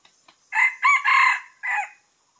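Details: A captive red junglefowl kept as a decoy (pikat) gives a single brief crow of four hoarse, ringing syllables lasting about a second and a half, ending abruptly; faint clicks precede it.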